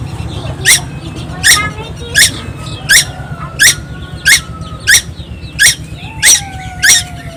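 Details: Young tuwu bird from Timor Island singing constantly: sharp, buzzy, descending notes repeated about every 0.7 seconds, with a steady low hum beneath and faint drawn-out whistles in the background.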